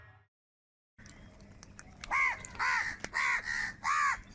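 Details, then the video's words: Crows fighting for food, giving a series of harsh, nasal caws about two per second after a short silence, with clicking and background noise. "Crow Sound of Kaka | Clear Crystal Crow Bird Crowing Sounds | Crow Bird live Crowing Sounds"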